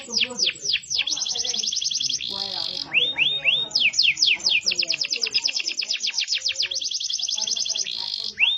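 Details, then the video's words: Continuous song from a yellow domestic canary: sharp descending notes, rolling trills, short upswept whistles, then long runs of evenly repeated syllables, all high and bright, alternating between slower sweeps and fast rattles. "yellow canary that makes noise"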